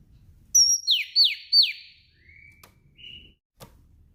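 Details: Calling female Oriental magpie-robin in the afternoon, stimulating males to sing: a high whistle, three descending buzzy sweeps, then two soft level whistles over a light low hum.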